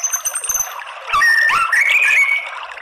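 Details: White-rumped shama song used as a lure to provoke males into fighting song: a noisy opening, then clear whistled notes sliding up and down with fast overlapping phrases.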